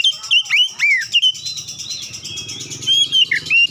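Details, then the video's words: Clear Oriental magpie-robin lure song used to prompt silent birds to sing: rapid swooping whistles and sharp chirps in quick succession, then softer sustained high notes over a low background hum. "kicauan jernih Kacer pemikat | KACER macet bunyi langsung ikutan gacor"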